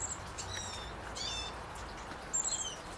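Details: Lesser goldfinch recorded in 2016 giving thin, high, plaintive whistles that slide downward, several in three seconds, over a soft low background rumble.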